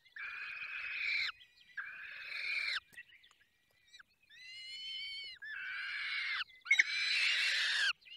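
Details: Rasping screeches from falcons at a nest in the Barycz Valley during feeding, followed by a clearer, tonal wailing note with a rising ending. After it come more harsh, broad calls, the last one louder and crackling.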